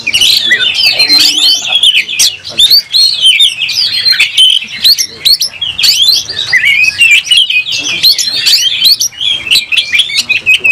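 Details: Oriental magpie-robin singing vigorously while fighting, tail spread and aroused; long, unbroken medley of varied whistles, rapid trills and chirps, with repeated sharp clicks and little background noise.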